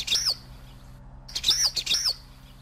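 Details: Common waxbill (Estrilda astrild) song: a thin, high, buzzy phrase with short nasal notes, repeated three times over about two seconds, with a faint low hum in the background.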